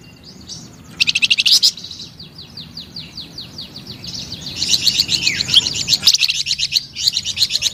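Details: Energetic flamboyan bird song starting softly, then a quick loud burst of chirps, a string of fading slurred notes, and a long fast trill of high twittering that grows louder.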